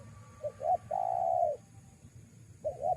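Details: Spotted dove luring call: two brief rising hoots and a long smooth coo, with the next phrase starting at the end; faint low background hum.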